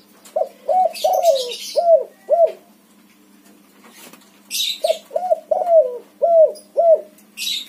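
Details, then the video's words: Singing white spotted dove of the backspot type: two bursts of five hoarse coos each, the middle coo longer and falling, separated by a pause with bright chirps of other birds. "suara tekukur warna putih BS backspot manggung gacor untuk pancingan burung derkuku macet bunyi"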